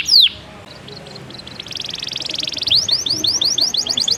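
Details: Canary singing: after a sharp opening note, a run of short repeated chirps, then a dense buzzy trill, followed by a fast series of rapid descending whistled sweeps growing louder toward the end.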